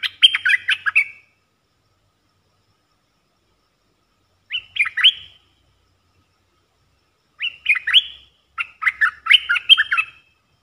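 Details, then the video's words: Red-eyed Bulbul in the wild, reacting to a decoy bird held in a cage, delivers bursts of rapid chattering notes about one second long, separated by pauses of three to six seconds. "Suara pikat merbah lekir"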